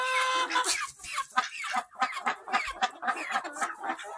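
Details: Barn flock of mixed-breed chickens, hens and roosters, recorded July 26, 2023, producing dense, overlapping clucks and nasal harmonic calls several times a second, with a busy, noisy background.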